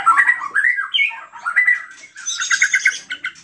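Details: White-rumped shama, a gacor singer whose song is played to provoke other shamas; varied whistled phrases, some slurred downward, followed by a burst of high, rapid chattering notes.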